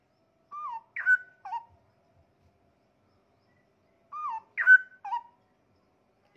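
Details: Caged straw-headed bulbul singing varied forest-song fills; two short phrases about three seconds apart, each a falling whistled slur followed by a sharp bright note and a lower gurgle, quiet between.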